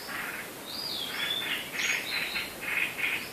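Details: Unnamed bird calling before dawn on 8 April 2016: thin, high, rising whistles and short slurred notes over a steady bed of chirping and background noise.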